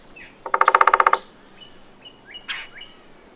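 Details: A single rolling call from a red-bellied woodpecker: a rapid, evenly pulsed churr lasting under a second. Soft high chirps and a brief sharp note follow.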